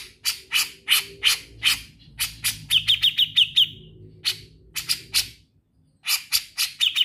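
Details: Actively singing Grey-cheeked bulbul in ngetril style: a steady series of spaced, rasping notes roughly every third of a second, broken by a short quick trill of ringing notes partway through.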